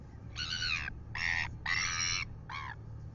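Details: New Zealand red-billed gulls annoying a royal albatross at dawn, 6:27 AM, on a live camera: four loud, rasping, nasal squawks in quick succession, the last shortest, over a low rumbling background.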